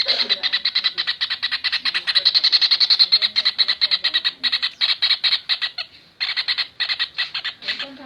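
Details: Kingfisher in masteran training audio for cage birds, uttering a dense, harsh chattering that runs almost continuously, then breaks into shorter bursts toward the end.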